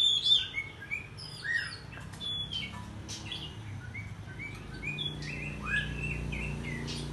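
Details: Oriental magpie-robin morning song, excited and with tail spread: varied whistled slurs and short chirps, rising and falling, over a steady low hum of background noise.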